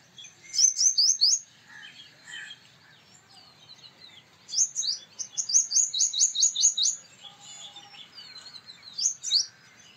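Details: Three bursts of song from a male purple sunbird: a short opening run of high ringing notes, a longer fast series of about fifteen metallic upsweeps midway, and a brief final phrase, with soft chirps between.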